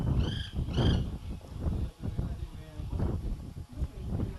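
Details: White woodpecker giving two loud, clear, rich calls in quick succession in the first second, each slightly rising then falling. After that, only strong low wind rumble and faint scattered sounds remain.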